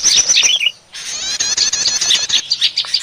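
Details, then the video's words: Short lure for trapping small birds, said to be a prinia. Bright chirps with wavering notes, a brief pause, then a dense, rapid trilling chatter and scattered high chips. "Suara pikat burung prenjak || suara pikat burung kecil ribut"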